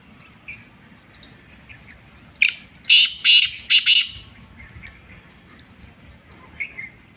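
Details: Sindhi black francolin calling: a sharp lead note then three or four rasping, scratchy blasts close together, with soft chirps of other small birds before and after.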